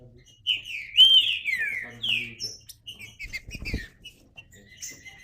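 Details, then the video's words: Green-winged saltator song: a loud rich whistled phrase that slides downward over about a second, followed by shorter, quieter whistled notes and soft chips that fade toward the end. "Trinca Ferro (cantando)"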